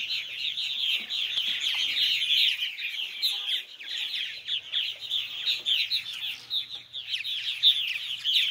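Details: Baby purple martins being fed by their mother and father before bedtime, giving a steady overlapping mass of high, scratchy chirps and twitters without pause.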